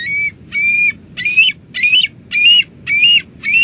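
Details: Bald eagle calling at a nest at Two Harbors on 17 July 2022 as an adult brings lunch to the eaglet. The calls are loud, strident, high-pitched notes repeated steadily about twice a second, some harsh and some cleaner and whistled.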